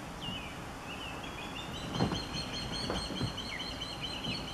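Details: Nesting female osprey, stressed by an intruder osprey near the nest, calling with repeated high whistled chirps in a steady series, some notes slurred downward, over wind-like noise and a few low thumps.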